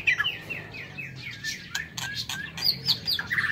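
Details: White-rumped shama singing in an aviary in the morning: a run of clear descending whistled notes, then varied chirps and short buzzy phrases, with sharp clicks and other small bird calls around it.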